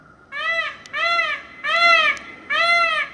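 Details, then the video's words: A male peacock gives four loud, nasal, wailing notes in quick succession, each slightly arched in pitch and under half a second long. "Male peacock sound"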